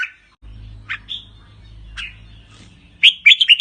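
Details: Red-whiskered bulbul of the Pa La-u line kept in a cage, singing and giving riik calls; short separate whistled notes spaced apart over a low hum, ending in a loud quick run of bright warbles.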